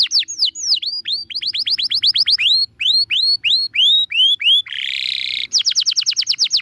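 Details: Canary master song meant for training birds: long chains of rapid swooping whistled notes repeated several per second, a short buzzy burst, then another fast run of descending chips.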